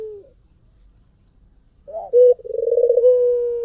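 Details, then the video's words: After a short faint coo and a pause, a white dove sings a lure phrase: a loud clipped note, then a rapid pulsing trill flowing into a long steady low coo. "SUARA PUTER PUTIH FULL GACOR || PANCINGAN AMPUH || SUARA BURUNG PUTER GACOR"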